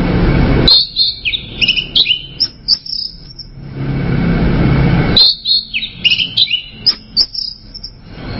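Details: Song of an orange-headed thrush: two bursts of bright, jumbled whistled notes and quick chirpy slurs, each lasting several seconds, separated by a stretch of hissy background noise.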